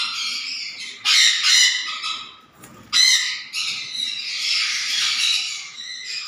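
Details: Black-capped conure producing rough, screeching squawks: a pair of loud grating bursts, a pause, then a longer run of raspy, chattering screeches that fade toward the end.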